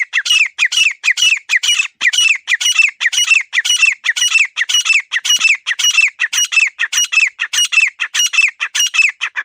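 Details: Grey francolin giving a long, insistent run of harsh, grating phrases, almost two per second, each with a strong high note that falls away at its end, continuing without pause for nearly ten seconds.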